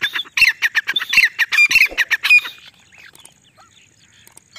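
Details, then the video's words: Female grey partridge calling in jungle for hunting lure: rapid run of loud, harsh squawky notes for under three seconds, then near silence with faint rustling. "Desi teetar madi ki Shikar wali voice"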